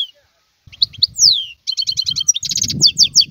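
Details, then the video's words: European goldfinch in the wild: after a short pause, a falling slurred whistle leads into rapid repeated tinkling notes and buzzy trills, with soft low thumps beneath. "اسمع بأذنيك تغريد هذا الحسون البري"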